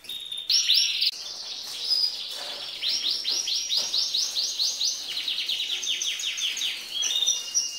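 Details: Female green canary singing as males do, stimulating the males. Varied song of high buzzy notes, then long chains of quick repeated rising syllables, ending with a clear whistle.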